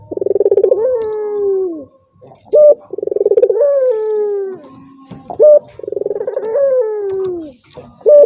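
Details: Turtle dove calling to provoke a rival that will not sing: three phrases, each a rolling, pulsed opening that swells into a long sliding, falling coo and ends in a brief clipped note, roughly every three seconds.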